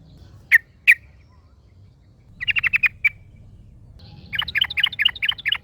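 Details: Yellow-vented bulbul in the wild, answered by a second bulbul: two sharp single chirps, then a quick burst of chattering notes, a lone note, and finally a lively run of rapid bubbly phrases against soft background hum.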